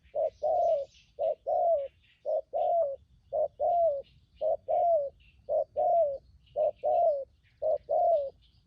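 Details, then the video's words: Decoy spotted dove caught from the wild, cooing in 'thúc gù' fashion: a very regular run of low coo pairs, short then long with a slight downward bend, roughly one pair per second, faint small-bird twitters above. "Bấy cu gáy bổi thổ tốt tiếng , hàng thúc gù , phóng rước tốt có kèm"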